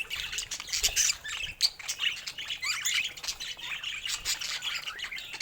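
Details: Several pet budgerigars keep up a busy, overlapping chatter of high twittering warbles and short squawks, with quick rattling clicks throughout.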